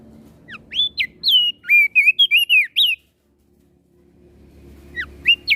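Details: Crested white-eye from Flores in aggressive, vigorous song: a quick sequence of about ten loud slurred whistles, rising and falling sharply, then near silence before the whistles resume at the end.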